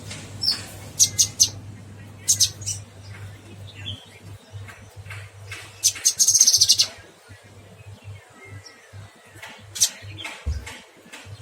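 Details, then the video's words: Cucak kinoy singing vigorously; bursts of high, sharp chirps and short trills, some rapid buzzy runs, separated by brief pauses, with a steady low hum underneath. "Burung cucak kinoy gacor"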